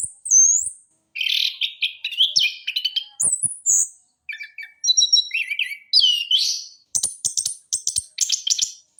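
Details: Trotol-style song of an orange-headed thrush used as a training lure: a fast, varied run of chirps, rasping trills and high slurred whistles, packed tightly with only brief pauses.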